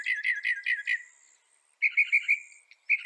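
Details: Northern mockingbird singing a rapid series of burry repeated notes, then after a short silence a second series of shorter, clearer repeated chips.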